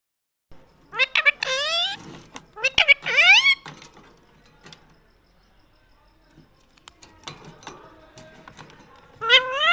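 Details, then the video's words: Pet parrot talking: loud, harmonic, speech-like phrases with rising sweeps fill the first few seconds, then a quiet stretch with soft clicks, and a final rising vocal burst at the end. "Parrot talking video"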